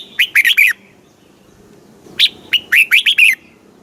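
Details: Red-whiskered bulbul, Thailand, singing southern master-style phrases played to excite caged birds and teach chicks: a short warbled run, then a longer phrase of a high rising whistle followed by five quick, bouncy notes.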